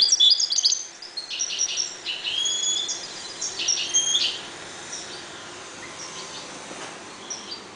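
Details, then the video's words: European goldfinches breeding in a cage sing a rapid jumble of high chirps and liquid trills over the first four seconds, then the twittering fades to quiet background hiss. "jilgueros criando"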